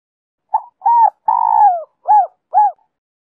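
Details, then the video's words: Spotted dove song of the Giọng Kim two-ending type, played to lure wild doves: a soft lead-in note, a short coo, a long wavering coo sliding downward, then two crisp arched coos, clean and free of other sounds. "Cu gáy Giọng Kim 2 hậu víp kích bổi nhanh nổi/Tiếng cu gáy kích bổi nhanh gáy/cu rừng nghe về ngay"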